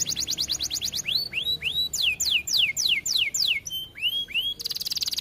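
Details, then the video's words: Vigorous (gacor) canary song used as a training tutor: a rapid high trill, then loud falling whistled sweeps in quick runs, a few upward-curving notes, and a closing buzzy rapid trill. "Video kenari gacor efektif untuk masteran"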